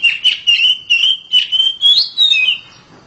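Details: Loud, clear whistles from a home-kept oriental magpie-robin, repeated about twice a second at a steady pitch. The song ends in a slightly higher, sliding phrase.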